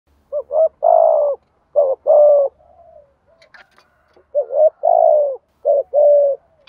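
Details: Spotted dove, a decoy bird with a 'thổ sấm' (thunder-like) voice, giving rhythmic 'thúc gù' cooing: short notes followed by long, slightly falling coos, phrases repeated with soft faint coos between.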